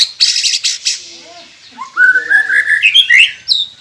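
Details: White-rumped shama singing on a recording used to prompt quiet caged birds: a few buzzy high notes, then a rising sequence of warbled whistled phrases climbing in pitch, ending with a short bright note.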